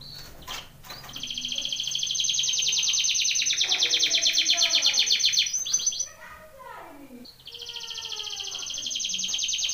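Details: Canary singing a training song: long fast trills packed into rapid repeated notes, a brief pause with lower descending chirps near six seconds, then the trilling resumes strongly.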